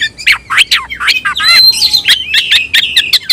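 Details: White-rumped shama (kacer) kept as a songbird, shouting at an opponent to fight; harsh rising sweeps, a long high thin whistle and rapid scratchy notes repeated several times a second.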